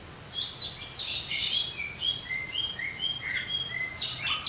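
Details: Javan myna, jalak kebo, delivering rapid chatter followed by a series of short clear whistled notes repeated in quick succession, varied and jumbled.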